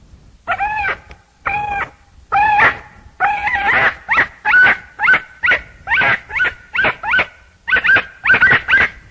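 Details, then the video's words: Chachalaca (aracuã) singing in loud, nasal, ringing notes. The first few are drawn out and arched. The pace then quickens into a steady stream of shorter harmonic notes, roughly two per second, with a second bird overlapping. "O CANTO DE ARACUÃ canto da aracuã aracuã CANTANDO aracuã canto CANTO Do ARACUÃ som de aracuã"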